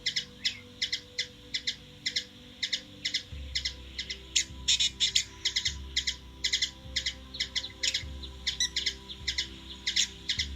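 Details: A hummingbird in Washington DC, USA gives sharp, high, dry chips, two or three each second, over a low, steady musical drone.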